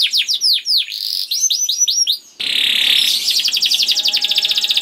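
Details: Young canary song intended to spur other canaries to sing: swooping whistled notes, then a long dense buzzing trill of rapid repeated notes.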